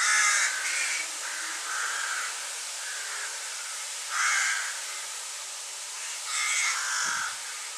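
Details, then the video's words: Rook nestling, about five days after its peeping was first heard, in a nest on a housing estate between March and early June 2025, its calls turning into cawing: harsh raspy bursts repeated every second or two, with steady background hiss. "Asi po piatich dňoch sa píšťanie už začalo podobať na krákanie. Už sa mladý začal viac a viac podobať na havrana."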